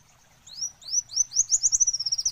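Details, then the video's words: Olive-backed sunbird singing a fast series of high, thin rising whistled notes that speed into a rapid trill, clean and unaccompanied. "Suara Alam Kolibri Wulung"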